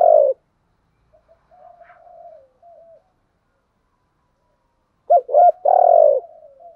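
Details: Decoy spotted dove used for luring, cooing: one coo, faint low murmurs, a silent gap, then a quick double note followed by a longer hollow coo trailing off.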